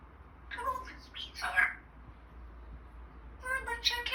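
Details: An African grey parrot named Eric swearing: two short bursts of human-like words, a harsh, clipped phrase and then a squawky word, over low room hum.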